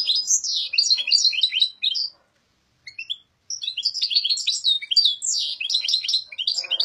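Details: European goldfinch, an owned bird, singing long runs of quick high twitters and trills, broken by a short silent gap and a few lone notes midway.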